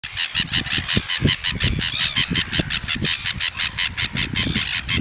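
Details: Red-billed gulls at Pukekura / Taiaroa Head, Otago Peninsula, a pair attempting to mate with the male on the female's back; harsh, rapid squawking calls repeated almost three times a second, with low thumping and wind-like rumble beneath.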